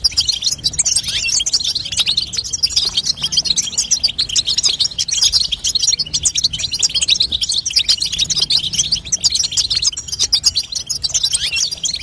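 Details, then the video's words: Female European goldfinch call for strengthening a young goldfinch's singing; long, steady run of sharp, high tinkling chirps and trills, densely packed and evenly loud throughout. "بتبته لتقويه فرخ الحسون تخلي يغرد غصب عنو"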